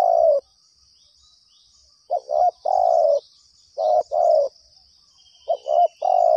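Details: Spotted dove calling actively while responding to a trapper's lure at one of two trapping sites; loud three-part cooing phrases, a short double note then a long falling coo, repeated about every two seconds, with a faint steady high hum behind.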